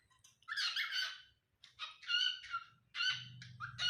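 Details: Pet cockatiel being possessive with wild birds: a long grating screech followed by a run of shorter harsh squawks with tonal overtones, closely spaced, over a low background hum.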